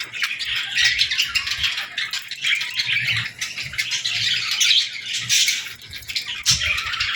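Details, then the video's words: Feeding-time chatter of baby budgies and lovebirds as they feed and interact: constant high, chirpy twittering from a group, with sharper squeaks now and then over faint low tapping. "Love Birds & Budgies Feeding Time Sounds"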